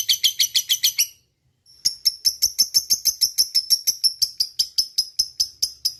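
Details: Long ngekek chatter from a fighter lovebird. A second of fast, scratchy high notes, a short silence, then a slower, evenly spaced series of sharp, clicky chirps with a metallic edge.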